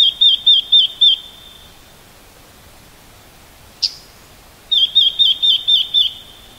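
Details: Red-billed leiothrix calling in autumn at Garyuzan, Japan, as the season turns toward winter, recorded with a homemade sound collector. Two bursts of five or six quick, high, wavering whistled notes, separated by silence and a single sharp click.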